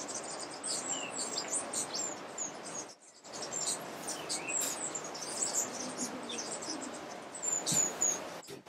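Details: Rufous-tailed hummingbird (Amazilia tzacatl jucunda) in Alambi Cloud Forest Reserve, Ecuador, May 2012, giving rapid thin high chips and buzzy twitters, about four per second, over a steady background hiss with brief gaps.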